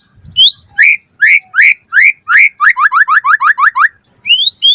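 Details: Lure song of a white-rumped shama: loud upward-swept whistles spaced about half a second apart, then a rapid run of short rising notes and a final high slurred whistle.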